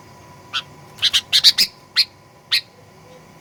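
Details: Sooty-headed bulbul in a 'gacor fighter' lure recording used to provoke aggressive song: a rapid cluster of loud harsh chirps, then several single chirps about half a second apart, over a faint hum.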